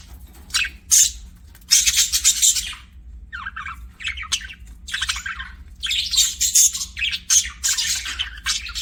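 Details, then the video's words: Budgerigar chirping in a home setting, loud scratchy high bursts and chattering warbles, alternating with brief quieter gaps throughout. "BUDGIE CHIRPING SOUNDS"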